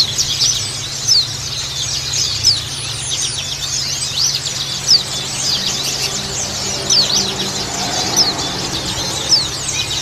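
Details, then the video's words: Female white-eye calls with a flock of white-eyes, used to get birds singing: a busy chorus of thin, high chirps and short rising squeaks, many birds overlapping continuously, over a low steady hum. "call pleci betina + suara pleci ombyokan cocok untuk terapi pleci agar buka paruh"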